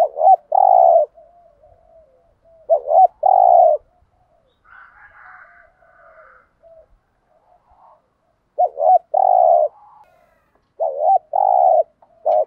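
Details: Spotted dove phrases in thúc gù style for provoking newly trapped doves: wavering lead-in notes and a drawn-out low coo, repeated four times with quiet murmurs and faint higher chatter between.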